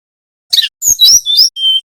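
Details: Brown-chested jungle flycatcher from Bali in nyiul song style, a training lure for young birds: a burst of twittering chirps, then descending whistles ending on a steady high whistled note.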